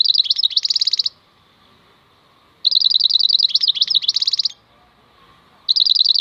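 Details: European goldfinch, called maknine khalwi, singing in bursts of rapid twittering notes and buzzy trills, each phrase about a second or two long, separated by quiet pauses, with a faint low hum behind.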